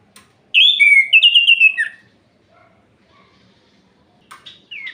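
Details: An orange-headed thrush sings at night to excite rival birds into breeding condition. A rich warbled phrase of about one and a half seconds ends in a falling note, followed by quiet and then brief sharp notes.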